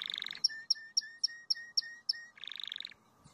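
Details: Crested canary song: a short rapid rattling trill gives way to seven evenly spaced notes, each a sharp high click dropping into a low steady whistle, then another quick rolled trill closes the phrase.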